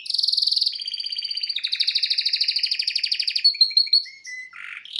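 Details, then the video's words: Loud song of a pet male canary singing in front of a television: a fast high trill, then a lower rapid rolling tour, followed by a few spaced chirps and a rising note. "Best Canary singing live"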